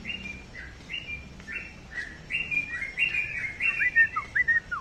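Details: Sooty-headed bulbul kept as a pet, singing evenly spaced slurred chirps that grow louder and faster, finishing with short downward-swooping notes.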